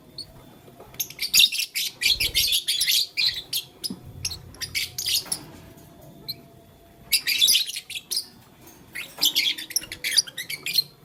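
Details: Lovebird, blue lutino and green, chirping while playing with a flower: bursts of harsh, broadband high chirps in dense clusters lasting one to two seconds, separated by short quiet gaps, with faint low rustling.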